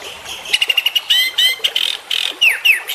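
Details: Juvenile white-rumped shama making a quick series of high ticking notes, then buzzy rasps and sharp downslurred whistles in a brief, lively phrase.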